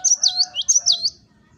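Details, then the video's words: Vigorous "wucit wucit" song of a gelatik batu (cinereous tit): two quick rising-and-falling whistled couplets over about one second, bright and high, with a faint low tone underneath. "GELATIK BATU Wucit wucit Gacor"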